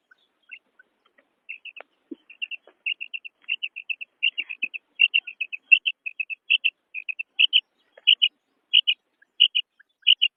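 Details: Steady run of a female quail's crisp, high double notes, repeated roughly every half second and growing louder toward the end, over an otherwise quiet background.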